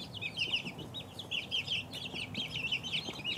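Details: Several two-week-old chicks peep busily, short bright chirps tumbling over one another in quick irregular runs, with a faint low hum beneath.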